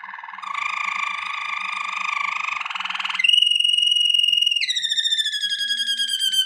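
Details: Waterslager canary singing a training song: a rich buzzy trill, then a clear rapid rolling tone, then a faster higher bubbling roll, all delivered without pause.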